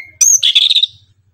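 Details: Orange-headed thrush singing a tembakan-style song in the morning: a brief sharp whistle, then a burst of buzzy, rapid high notes lasting about half a second, with faint low rumble underneath.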